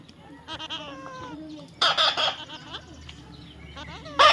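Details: Baby parrot being tamed, giving short whistled notes that bend up and down, then bursts of harsh broadband squawks near the middle and at the end, over a low steady background hum.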